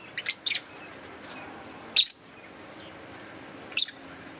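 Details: Green Fischer's lovebirds giving a double shrill chirp, then two more single high squeaky chirps roughly every two seconds against a quiet background.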